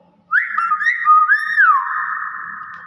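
A hill myna gives a clear, whistled run of gliding notes that rise and fall, ending in a long, steady, slightly buzzy tone lasting over a second.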